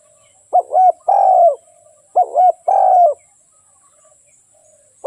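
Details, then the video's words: Trapping decoy spotted dove calling: a quick double-hooked note followed by a drawn-out, slightly descending rough coo, two phrases with a pause after each, in a quiet setting. "เสียงนกเขาใหญ่ โคตรหมาน ใช้งานใด้จริง"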